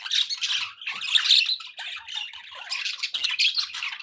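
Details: Budgies kept as pets in lively chatter, rapid raspy warbles mixed with high whistled chirps, several voices overlapping throughout.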